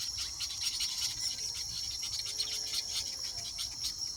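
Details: A busy chorus of weavers nesting during the mating season gives a steady, sizzling, buzzy chatter of high chirps and wheezes, many birds overlapping without pause.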